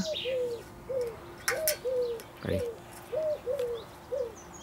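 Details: An amorous common wood pigeon courts its female with soft, low, hollow coos in short rhythmic groups, while faint chirps from other small birds and a steady low hum sit behind it.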